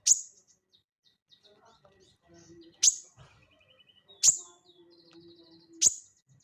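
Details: Crested jay (sogon) in ngeleper style as training audio for cage birds: four loud, piercing high single notes spaced about one and a half seconds apart, with faint soft twitters and a thin steady tone between.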